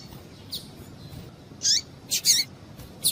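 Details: Female double-collared seedeater calling to prompt males to sing. A faint note, then a few loud, high, buzzy chirps in quick succession over background hiss.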